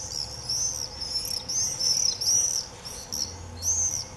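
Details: Screaming frenzy of common swifts in early July 2018: shrill, piercing, drawn-out screams from several birds running together almost without pause, louder toward the middle.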